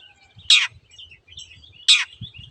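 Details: Long-tailed shrike master recording for training caged birds: two loud, rasping notes about one and a half seconds apart, with faint thin whistles behind.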